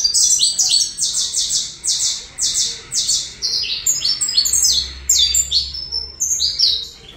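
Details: Saffron finch, Colombian type, delivering a series of strong, evenly spaced high chirps roughly three per second, shifting midway into faster, more tumbled twittering phrases.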